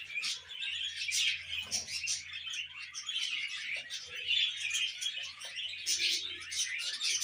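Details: Tame baby budgie warbling and chirping without pause, a dense, scratchy flow of high notes with brief sharper squeaks and faint low background hum.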